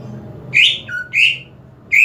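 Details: Kept greater green leafbird, excitement and breeding drive being encouraged, gives loud high whistled notes: a rich upslurred phrase, a lower flat whistle, another bright phrase, then the start of a fourth, with soft indoor background hum.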